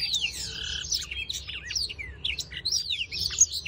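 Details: A black-throated canary in breeding condition, doing its display, sings a fast, high, twittering song of sweet whistled notes, trills and quick rising and falling slurs, with a faint low hum beneath.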